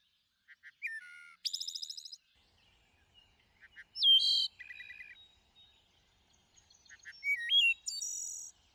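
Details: Thrush song in several separated phrases: short notes, a rising-falling whistle, rapid high stuttered trills and a lower buzzy burst, with pauses of a second or two between them. Calm setting.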